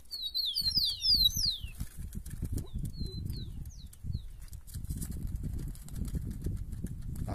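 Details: Rufous-collared sparrow (tico-tico), with two males wanting to fight one another: quick descending whistled slurs overlapping at the start, then a few scattered thin whistles, over steady low rumbling noise throughout.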